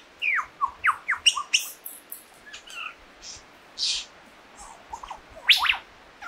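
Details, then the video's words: Lyrebird song: a varied run of loud, sharp downslurred whistles, buzzy bursts and chattering notes, switching style every second or so. "Lyrebird's song"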